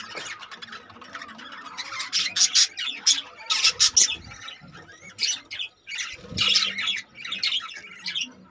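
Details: Budgerigars in a breeding colony where 25 babies have hatched, a busy chorus of chattering squawks and chirps, loud bursts around the second and fourth seconds, many birds calling together.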